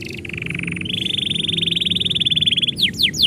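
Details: Canary singing as its owner is about to leave: a brief buzzy phrase, then a long fast rolling trill near one steady pitch, ending in quick high downward-sweeping whistles.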